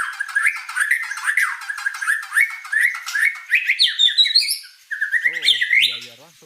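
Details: White-rumped shama in energetic 'gacor' song: a fast, varied stream of sharp upswept chirps and squeaky notes that climbs higher midway, with a brief pause, then a few low tonal sounds near the end.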